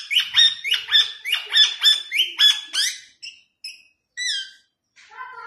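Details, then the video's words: Pet rose-ringed parakeet talking in Urdu or Hindi: a run of about eight loud, harsh repeated syllables rising to high pitch, then shorter squeaky and nasal phrases with brief pauses. "Mitthu Ringneck Talking Parrot Speaking In Urdu Hindi"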